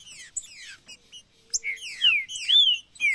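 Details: Male Green-winged saltator: soft descending whistles building to loud, sweet, rich slurred notes, one rising then falling, repeated about twice a second.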